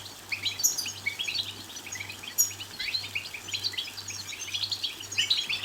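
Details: European goldfinch twittering song intended to stimulate singing and mating: busy run of short high chirps and trills, a sharp note near two and a half seconds, a faint pulsing hum beneath.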